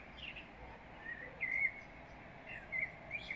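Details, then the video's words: Pre-dawn birdsong in the Beskid Wyspowy mountains, 10 March 2023, by moonlight: scattered thin, high twittering notes and short sliding whistles at intervals, set against a quiet background hiss. "śpiew ptaków 🐦🐦🐦(przed świtem)"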